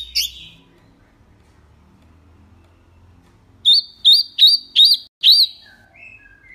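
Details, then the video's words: Wambi song, a clear recording used to teach caged birds: a brief note, three seconds of near silence, then five loud, sharp, hooked whistles in quick succession, and soft lower notes trailing off. "SUARA JERNIH TEMBAKAN WAMBI MINI"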